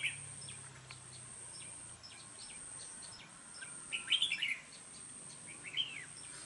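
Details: Caged red-whiskered bulbul decoy bird from Dong Nai, Vietnam, described as a frequent singer with a harsh voice. A quick burst of tumbling, chattering notes midway, then a brief clipped phrase, against faint background hiss.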